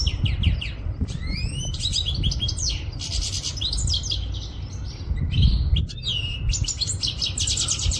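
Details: Quetta goldfinch song: rising whistled slurs open into dense twittering and rapid buzzy trills, phrases running almost nonstop for eight seconds above a low, steady background hum.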